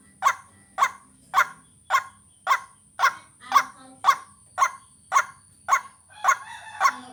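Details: White-breasted waterhen call played to lure birds: a regular train of about thirteen short harsh notes, close to two a second, with some scratchy noise near the end and a steady high whine.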